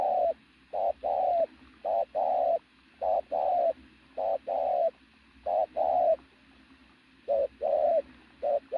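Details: Strong-voiced native pigeon used as a decoy, cooing in mellow short-then-long pairs at a steady pace, with one brief pause near the end.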